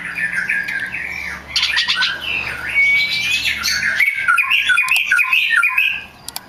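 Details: Oriental magpie-robin (kacer) song played as a lure for other magpie-robins: continuous loud warbling with harsh and whistled elements, a long thin whistle, then a quick bouncing series of notes.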